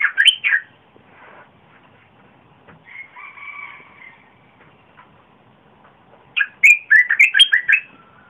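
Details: Red-whiskered bulbul recorded 30 April 2021, a deep-voiced song used to lure wild birds and teach young birds: short loud bursts of warbled, chattering notes open and close, with a soft two-toned whistle and quiet gap between.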